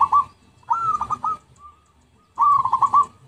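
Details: Zebra dove lure recording: brisk phrases of staccato, slightly rising coo notes, a short fragment followed by two full phrases, with a faint soft note in the pause.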